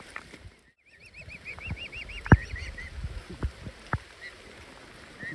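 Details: Swan cygnets beg, giving a quick run of about ten high, arched piping whistles over two seconds, with scattered clicks and taps and soft background noise.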